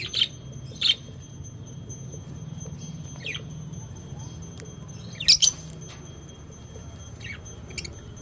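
Lovebirds give sharp, shrill chirps in scattered single and double bursts, about seven in eight seconds, over a steady high electrical whine and low room rumble.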